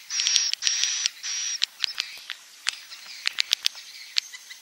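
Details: Edible-nest swiftlet roosting call of the klepek-klepek style, used to attract swiftlets: a few high, steady buzzy notes at first, then scattered sharp clicks and short chirps in quick, irregular succession.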